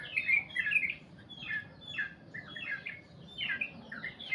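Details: Sooty-headed bulbul giving a long goklik-style song: bursts of chattering, bubbly notes at mid-high pitch in short phrases separated by brief pauses, with a faint low background hum.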